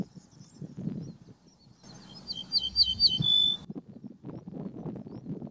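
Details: Ortolan bunting song: a brief run of high, clear repeated notes ending in a held lower whistle, set against low rumbling background noise.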